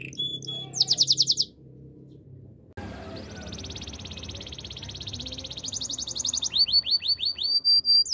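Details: Canary training song from a Yorkshire canary: a fast high pulsing trill, a short quiet pause with background hiss, then a softer extended trill building into loud repeated whistled sweeps.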